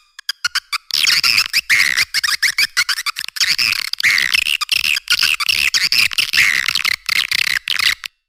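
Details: Lure sound of edible-nest swiftlets, played to draw the birds in: a harsh, squawky high twitter pours out almost continuously after a few sharp opening clicks.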